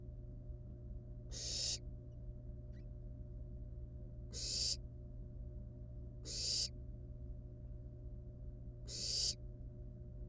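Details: Four harsh, airy hisses from wild barn owl nestlings with live prey at the nest, spaced unevenly two to three seconds apart, each a short broad rasp, over a continuous low mechanical hum and a faint click.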